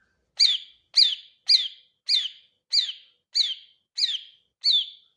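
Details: A greater green leafbird repeats a sharp, high, downward-slurred chirp eight times at a steady pace, roughly every two thirds of a second, with nothing else heard.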